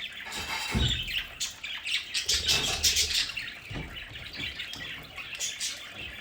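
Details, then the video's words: Budgerigars kept at home in their play area chatter together, producing overlapping high chirps and scratchy warbled notes in fast, uneven bursts, with occasional low thumps and rustling in the background. "Sonidos de budgies para Budgies en casa"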